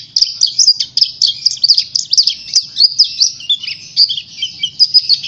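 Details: Singing Oriental white-eye, used as a lure for other birds: continuous rapid twittering of high, bright notes, run together in quick chirpy bursts almost every fraction of a second, with no pauses and no other sounds.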